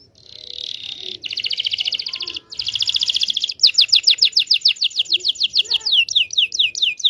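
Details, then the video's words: Canary singing long, continuous rolls for training young birds: two dense high buzzy rolls split by a short pause, then a string of loud sweeping whistled notes that slow toward the end. "KENARI GACOR NGEROL PANJANG PANCINGAN KENARI PAUD BELAJAR BUNYI"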